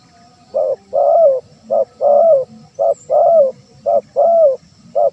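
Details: Spotted dove cooing, played as a lure for wild doves; mellow hooted notes alternate short and long, about nine in five seconds, the longer ones sliding downward at the end, over a faint low rumble.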